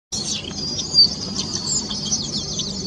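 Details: Greater thornbird (Phacellodomus ruber) building its stick nest at a branch tip: a steady wash of high, thin chirps and twittering runs without pause, one sharper note near one second, over a faint low hum.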